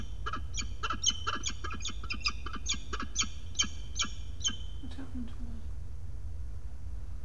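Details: Peregrine falcon defending its nest ledge from an intruding falcon, 6 May 2022: a fast series of grating kak notes that stops after about five seconds, leaving only low steady background rumble.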